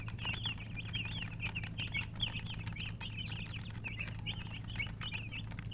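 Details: Baby chickens chirping: many high, rapid peeps in overlapping chorus, continuous throughout, over a steady low hum.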